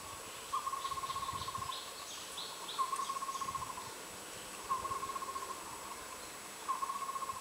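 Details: Collared owlet (Glaucidium brodiei) at its nest in Jiaxian, Taiwan, on 2 May 2021, during breeding as the male feeds the incubating female; short runs of quick, even, mid-pitched whistled notes about every two seconds, with other birds' chirps and insect whine behind.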